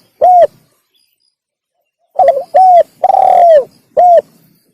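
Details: Spotted dove call used to attract wild doves: a single short coo, a pause, then a full phrase of stuttering notes, a hollow coo, a long husky falling coo and a crisp final coo.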